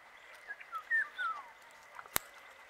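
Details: Paddyfield pipit in Rajasthan, India, uttering three or four brief falling notes within about a second, followed by a sharp click and a steady background hum.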